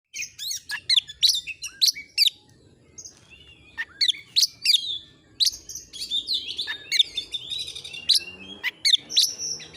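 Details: Oriental magpie-robin (kacer) in full song, used as a tutor recording to excite other birds into singing: rapid sharp whistles and slurred chirps, clustered in bursts with brief pauses, plus a soft rising whistle near the middle.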